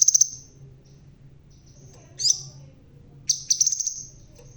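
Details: Bald crimson sunbird with a red tail sings briskly: a quick cluster of piercing high notes, a single sharp squeak, then a fast, stuttering string of thin high notes against a quiet low hum.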